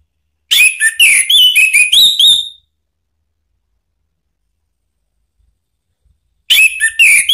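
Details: Orange-headed thrush song used in Indonesia to provoke a rival into singing: a dense two-second run of sharp whistles and chattering notes, a long pause, then another burst begins.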